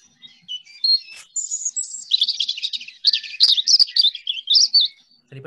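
European Robin singing a high, varied phrase of thin whistles and quick tumbling trills, shifting pitch from note to note; a faint low thump at the end.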